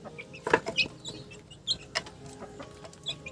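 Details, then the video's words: Chickens clucking in short scattered bursts, with some higher chirpy notes among them and light background rustle. "Funny Chicken Sounds"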